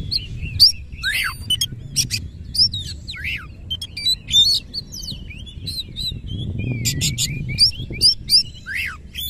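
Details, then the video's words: Oriental magpie-robin (kacer) in rolling 'nembak ngerol' song with spread tail; spaced high whistles, sharp downward slurs and short buzzy chip bursts, separated by brief pauses, over soft low rumbling. "KACER GACOR NEMBAK NGEROL FULL BUKA EKOR"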